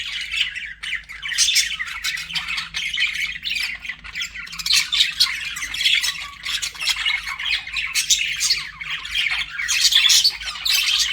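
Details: Pet budgerigars chirping and warbling continuously, a dense busy chatter of scratchy squeaks and rapid twittering notes overlapping throughout, with faint low hum beneath.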